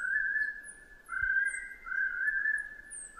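Chestnut-breasted partridge giving a long, steady mid-pitched whistle that swells and wavers slightly over three seconds, with faint high chips from other small birds.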